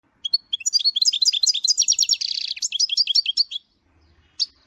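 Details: Goldfinch giving a rapid, jumbled twitter of high tinkling and buzzy notes for about three seconds, then a short pause and two more brief chirps at the end.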